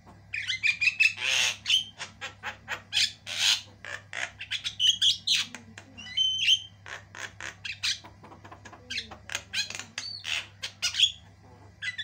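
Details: Loud, intense non-stop singing by a white-eyed Javan myna, varied and long: rapid rattling squawks, buzzy notes and rising whistles crowded together with barely a pause, a faint low hum behind.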